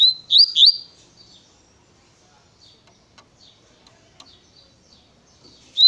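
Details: Double-collared seedeater in Tui Tui style song: two loud upslurred whistles open the phrase, followed by faint scattered chips and soft ticking before one more whistle at the end.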